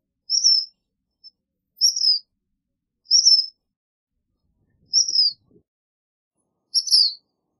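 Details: Five high, thin slurred notes from a black phoebe, spaced a little over a second apart, with a tiny soft peep between the first two.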